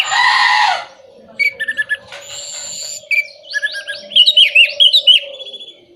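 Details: Orange-headed thrush song played to stir moulting, silent or non-breeding birds into singing. A harsh opening burst, then sweet whistled notes and rapid descending slurred phrases over a steady low hum.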